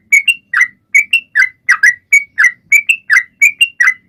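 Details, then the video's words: Sooty-headed bulbul singing eagerly to draw other birds into song: neat pairs of notes, a lower burry chirp and an upward-flicking whistle, repeated about every half second, quiet background. "Trucuan gacor!!mancing burung lain ikut bunyi"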